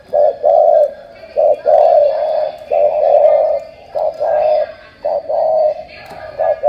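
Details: Spotted dove from Cà Mau, Vietnam, described as 'tú', coos persistently: six or so paired phrases, a brief note then a sustained resonant note, slightly uneven spacing, faint background noise.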